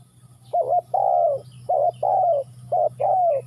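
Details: Loud, close spotted dove repeating its phrase three times: a clipped two-part coo followed at once by a longer croo that slides downward, over a steady low hum.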